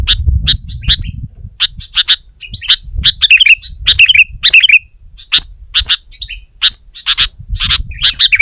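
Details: Sooty-headed bulbul, or kutilang, singing against a rival: irregular sharp chips mixed with bubbling downward-sliding phrases and brief rippling runs, loud and persistent, with low background rumble at the start and end.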